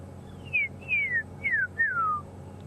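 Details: Magpie shrikes calling in the background at sunset on an October 18 safari drive: four clear, liquid whistles, each sliding steeply downward, about one every half second, over a low steady rumble.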